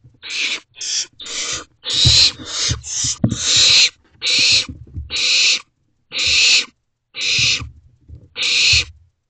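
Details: Owlets calling from a nest box at 3:21 am, 28 May 2023. They give rapid, rasping hisses, several overlapping at first, then spaced roughly every second, with faint scraping and movement noises underneath.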